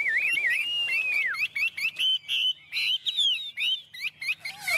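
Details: Continuous varied singing from a tame Chinese hwamei, with high, bright whistles, rolling warbles and quick chopped notes in rapid succession, rich and loud throughout.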